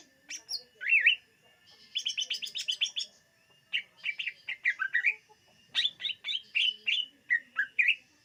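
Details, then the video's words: Greater green leafbird singing, recorded for luring birds: bright whistled zigzag notes and rapid chattering bursts in short phrases with brief pauses, some notes sliding down. "SUARA BURUNG CUCAK IJO UNTUK PEMIKAT"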